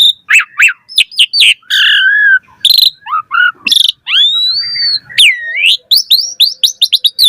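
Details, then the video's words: Asian pied starling singing a varied, energetic song meant to lure other starlings: mixed whistled glides, sharp chirps, rasping bursts and long rising whistles packed closely together. "Suara Jalak Suren Gacor Variasi Full Isian Ampuh Cepat Respon Buat Pancingan Burung Jalak"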